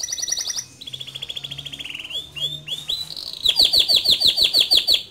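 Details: Male canary singing a rolling song: a high trill, lower warbling rolls with sweeping notes, then a loud run of rapid repeated descending chirps.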